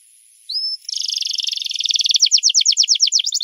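A lovebird gives a high rising whistle, then a fast buzzy trill, then a quick run of sharp down-slurred chirps, about three per second.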